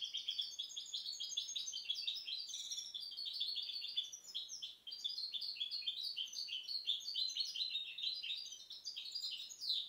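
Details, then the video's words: Goldfinch hybrid of 2010 pouring out continuous, tightly packed twittering: high chirps, rattles and buzzy slurs with barely a break throughout. "Mixto jilguero pio 2010"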